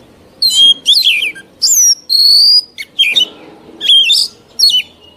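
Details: Old wild Oriental magpie-robin singing, a recording used to train young birds: varied whistled phrases, a long steady high note, twisting slurred notes and quick chattery bits, with short pauses between phrases.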